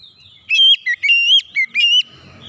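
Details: Oriental magpie-robin singing a lure song meant to prompt other birds to sing: one quick sequence of bright, fluttering whistles, rising and falling notes alternating in about four bursts within a second and a half.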